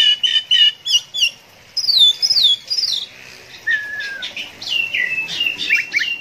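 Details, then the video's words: Oriental magpie-robin (kacer) singing in the 'konslet' style prized by Indonesian songbird hobbyists: bursts of bright whistled phrases, some sliding downward, broken by short pauses, then a long lower falling whistle and a quick run of varied notes. "KACER KONSLET NGEPLAY ADU MEKANIK"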